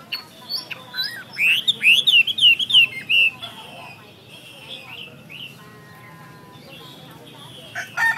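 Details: Chinese hwamei song: a burst of bright, looping whistled notes, fast and varied, followed by softer, trailing phrases and a few sharp clicks near the end.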